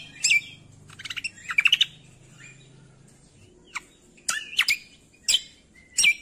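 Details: Masteran of cucak kombo for training songbirds: bursts of rapid high twittering notes alternate with sharp, falling single chirps and short pauses, with a soft low hum early on.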